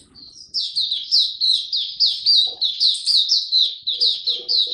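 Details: A young male white-eye, caged, singing his still-maturing song on 9 February 2022: a soft lead-in, then loud high notes repeated about four times a second in an even, pulsing rhythm.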